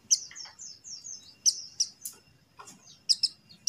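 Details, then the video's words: Buxtoni white-eye calling, meant to prompt quiet white-eyes to sing: a busy run of sharp, high, thin chirps and short downslurred notes, some doubled, in quick irregular succession against a quiet background. "suara CALL PLECI BUXTONI | untuk pancingan PLECI MACET BUNYI"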